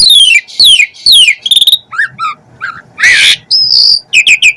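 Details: Asian pied starling in lively gacor song full of isian fill notes: loud falling whistles, short clicks and rising notes, then a harsh rasping burst, a bright sustained whistle and quick chattering notes, with no other sounds.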